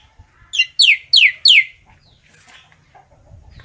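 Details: Common myna calling its flock: four loud whistled notes, each sliding steeply downward, given in quick succession, followed by faint softer chatter and low background rumble.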